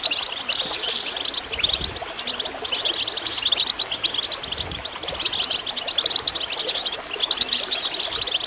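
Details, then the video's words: Over a steady wash of gurgling water, a goldfinch pours out rapid, high chirping phrases, bright and twittery, a sound used to encourage birds to sing. "Water gurgling with goldfinch chirping to encourage birds to song"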